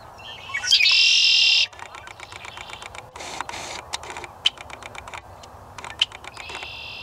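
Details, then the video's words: A Red-winged Blackbird gives a loud, harsh, buzzy call about a second long, followed by a long run of rapid dry chips from a Wilson's Warbler singing alongside. "Red Winged Blackbird call"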